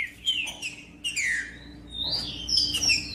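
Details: Trinca-ferro (green-winged saltator) singing to motivate other birds: rich whistled phrases sliding down in pitch, then a brighter rising-and-falling run of notes near the end, little background noise.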